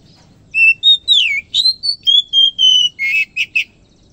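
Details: Oriental magpie-robin singing vigorously at dawn: varied clear whistles, a descending slur, level sustained notes, then a rasping burst and two crisp chirps, all loud against a faint low rumble.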